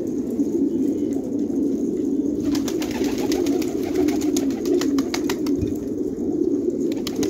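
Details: Jangi tumbler pigeons at Khanabad, Afghanistan, cooing in a crowd; continuous low burbling, at first fairly clean, then joined after a few seconds by a rapid series of clicks and taps.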